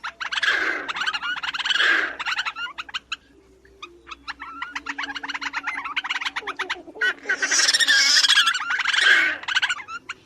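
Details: Black Crake, small blackish rail of reed beds and water margins, in wheezy bubbling and chattering calls: loud harsh bursts alternate with fast runs of dry clicking notes, swelling into noisy chatter twice more toward the end.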